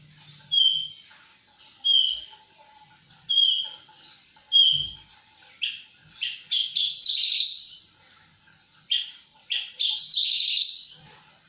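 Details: Javan bush lark in lively, vigorous song: a series of short level whistles repeated about every one and a half seconds, then breaking into dense buzzy trills and high sweeping notes.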